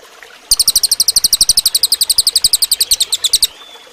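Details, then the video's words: Cililin singing, used for training other birds: a three-second rattle of rapid, high, sharply repeated chirps at around ten per second, with a thin whistle afterwards. "suara burung cililin bagus buat masteran"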